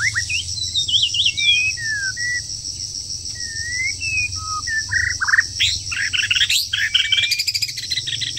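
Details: Moulting wild bird in breeding season gives varied whistled phrases: descending slurs, short upslurred notes and a short level tone. A burst of rapid sharp chirps follows, backed by a steady high-pitched insect drone.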